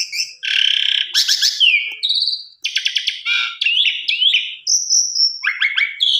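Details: Lure recording of an Asian pied starling singing to prompt other birds: a rapid medley of harsh buzzy bursts, crackling stacked notes and clear whistles that slide up and down, with brief pauses between phrases.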